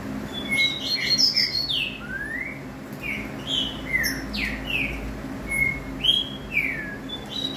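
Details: Green-winged saltator singing a run of loud slurred whistles, many sweeping down or up, delivered in short separated notes about twice a second, with a steady low hum in the background.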